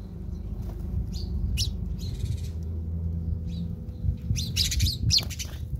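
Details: Fighting house sparrows in South Africa give scattered short chirps, then a quick burst of overlapping harsh twitters near the end, set against steady low-pitched rumbling noise.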